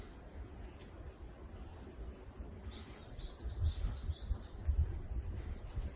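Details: In a forest in the morning, a Japanese tit sings a few quick, high two-note phrases, each high then slightly lower, over a steady low rumble of wind or distant traffic.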